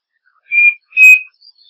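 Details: Striped cuckoo song: two clear whistled notes near the same pitch, the second slightly longer and louder, given as a quick pair, with a faint higher note trailing after; no other sounds.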